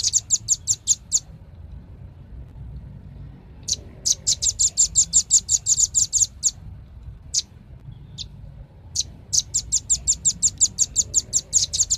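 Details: Velvet-fronted nuthatch calling in repeated volleys of quick, high, metallic chips, several runs broken by short gaps and single isolated notes, with a soft background hum.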